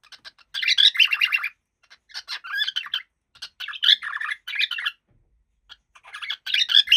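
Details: Happy cockatiel in steady chattering warble, rapid scratchy chirps and squeaks in bursts about a second long, one after another with short silences between.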